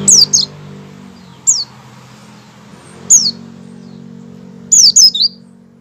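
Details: Pre-song opening call of a white-eye: piercing high notes that drop quickly in pitch, delivered singly or in rapid runs of two to three, with gaps of about one and a half seconds and faint hum beneath.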